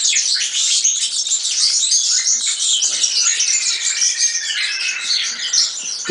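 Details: Continuous European serin singing, a rapid, shimmering jingle of very high, squeaky notes with short buzzy trills, sustained at an even loudness throughout.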